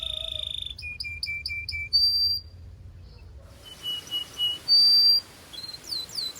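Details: Belgian canary song used to warm up birds and stimulate females: a few clear whistled pips in a short series, a sustained bright tone, a pause with background hiss, then scattered high whistles and a piercing held note.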